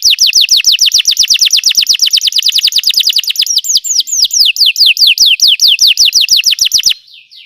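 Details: Belgian canary song meant to make canaries sing: a long rapid trill of sliding notes, shifting to slower, wider-sweeping notes before stopping abruptly near the end.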